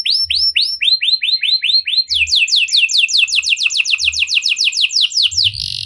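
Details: Cengkok mewah canary song, a lure to get other canaries singing: loud, sweeping downward whistles in quick series that shift into a faster, denser trill of falling notes.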